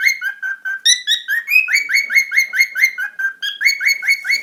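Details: Parrots tweeting: quick, bright chirps repeated in an even run about twice a second, each a short upward-slurred note with ringing overtones, steady and loud with no other sounds.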